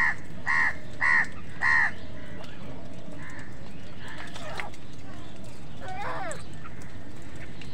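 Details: Crows competing with wild birds for food give three loud, harsh caws in quick succession, about half a second apart, followed by fainter scattered bird notes over a steady low background rumble.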